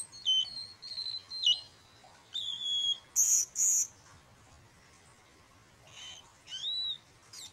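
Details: Blue-and-white flycatcher at a nest under house eaves where eggs were laid and are being incubated, May 2013; clear whistled notes with downward slurs, a sharp high buzzy burst, then rising whistles after a pause, in a quiet background.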